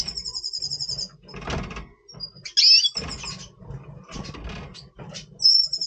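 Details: Breeding-mood voice of a Double Pastell red siskin, recorded November 2023: a rattling high trill opens, followed by pauses, a squeaky buzzy burst and another short trill at the end.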